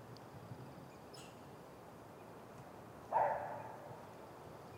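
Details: Great grey owl at the nest, recorded by nest camera on 30 June 2018 in the early afternoon: one brief rasping, hoarse note, then the start of another at the end, against a quiet background hiss.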